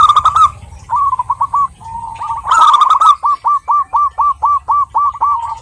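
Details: Female local Zebra dove calling to a male, giving a loud rolling coo, then short coo phrases, then a long steady run of evenly spaced hooked notes about two per second.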